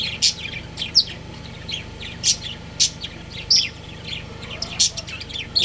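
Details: Breeding pair of pet budgerigars chirping: sharp, high, bright chirps come in loose bursts about every second, some rising, some falling, over a steady low electrical hum.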